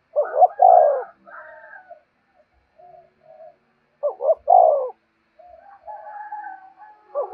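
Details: Cooing spotted dove used as a caller to draw in wild doves, giving two full phrases, each two quick hoots then a drawn-out falling coo, with softer hooting notes between phrases.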